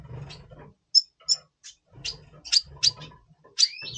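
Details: Red siskin, double pastel, heard before the breeding season in November 2023, giving spaced sharp high chips and a final rising whistled slur, with gentle low rumbling behind.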